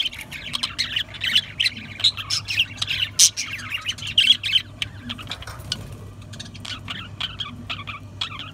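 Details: Budgerigars chattering busily, a dense stream of short scratchy chirps and squawks with quick warbled notes, several birds calling over one another, with a steady low hum underneath.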